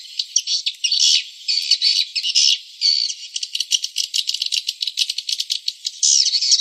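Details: Lure recording used by swiftlet farmers to draw swiftlets: dry, buzzy, rattling chatter that pulses unevenly, with dense high bursts breaking up into rapid ticks.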